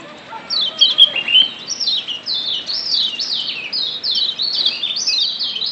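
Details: Lombok yellow white-eye from the wild, a lure to stir birds into singing: bright, high, down-slurred chirps in a quick, uneven chattering run, a few softer notes at the start.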